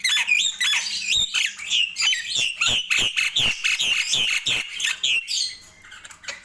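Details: Nias hill myna in the morning, pouring out fast repeated squawky notes, about three or four per second, with rising and falling whistled inflections, fading toward the end.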